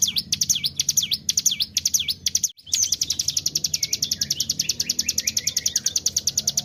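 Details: Bar-winged prinia (cigun) singing vigorously in the 'tarikan bren' style, a lure recording to make birds sing: fast repeated high V-shaped whistled sweeps, then a rapid buzzy trill of evenly spaced ticks with faint descending notes.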